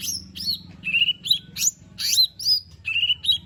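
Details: Lesser green leafbird singing to prompt a lazy bird: a rapid, continuous run of bright chirps, harsh upsweeping notes and steady whistles, varied and energetic, with a faint low background hum.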